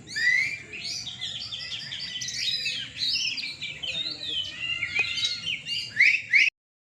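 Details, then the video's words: At an evening bird-song competition in Surabaya, Indonesia, caged Oriental magpie-robins deliver rich, rapid songs of bright whistles, mimicked chirps and emphatic upslurred notes, overlapping constantly before ending abruptly. "Lomba Burung Kacer mania di gantangan malam"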